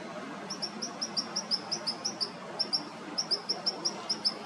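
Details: White-eared hummingbird, perched and preening, singing a steady run of high, metallic tinking notes, about three per second, over a soft hiss of background noise; recorded 22 October 2019.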